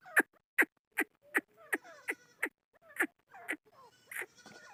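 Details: Chukar partridge, described as Pakistan's national bird, giving a run of sharp, harsh chuck notes roughly every 0.4 seconds. The later notes blur into fainter rattling, overlapping sounds.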